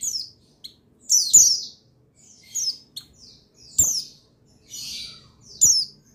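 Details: Singing male buxtoni white-eye, intended to trigger song in other white-eyes: scattered high, sharp, falling chirps and short twittery bursts spaced about a second apart, with faint soft clicks between.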